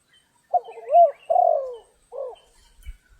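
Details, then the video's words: Spotted dove during trapping in rainy, stormy weather: a short phrase of low, wavering coos, one long drawn-out note sliding downward, then a single brief coo to close. "Chim cu gáy"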